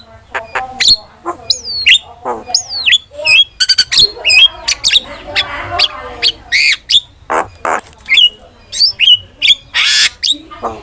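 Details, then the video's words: Starling song for luring and training birds: a long varied medley of harsh squawks, clicks, curling whistles and buzzy bursts, delivered in irregular quick phrases throughout. "PANCINGAN DAN MASTERAN BURUNG JALAK"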